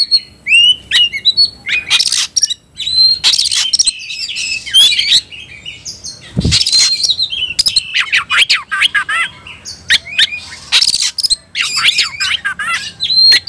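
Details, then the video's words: Oriental magpie-robin (kacer) stirred into fighting: long excited song of whistled phrases, chattering runs and harsh broad rasps, one low thud near the middle, with a faint steady high electronic tone. "membakar emosi kacer, kacer gacor tarung ngobra"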